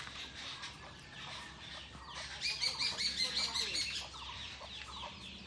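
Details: Jungle babbler, a bird that keeps in groups and is called saat bhagi in Rajshahi, in a mango orchard: soft chatter swelling into a run of loud, harsh, rasping notes repeated rapidly mid-clip, then fading.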